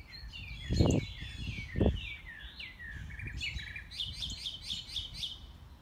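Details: Mockingbird singing during a morning walk, unseen, running through its varied repertoire: shifting whistled and slurred phrases, then a quick run of repeated high notes, with two loud footstep thumps and outdoor background noise.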